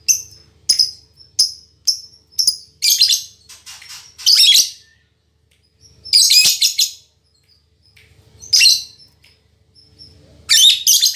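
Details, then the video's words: Female lovebird of fighter character, singing as vigorously as a male: evenly spaced sharp squeaks at first, followed by long bursts of dense buzzy, scratchy chatter with quiet gaps between. "Suara Burung Lovebird Betina Fighter"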